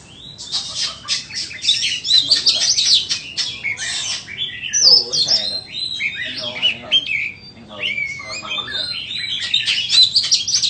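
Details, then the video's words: White-rumped shama singing a dense, varied stream of high whistles, buzzy trills and sharp clicks, phrases running almost without pause over a faint low background hum. "Chích choè than bông"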